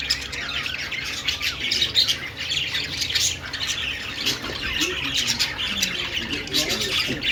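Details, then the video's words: Budgerigar chattering song of raspy squawks and quick high twitters, steady and unbroken, with a few softer low warbles near the end and a faint hum. "Budgie sounds Budgie singing"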